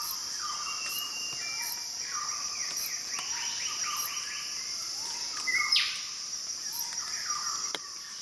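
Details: Wild Wilson's bird-of-paradise in the Arfak Mountains of West Papua: a series of short, falling whistled notes in quick runs over a steady high insect drone and scattered sharp ticks.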